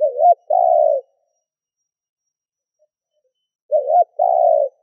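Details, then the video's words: Spotted dove kept as a lure to call in other doves, two paired coos about four seconds apart, each a quivering short note and a drawn-out steady one. "Tiếng cu gáy mồi thúc gù kích bổi"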